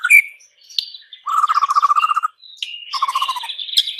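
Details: Song of a white-rumped shama, or murai batu: a sharp whistle, then a steady rapid trill of repeated notes, followed by a higher buzzy warble.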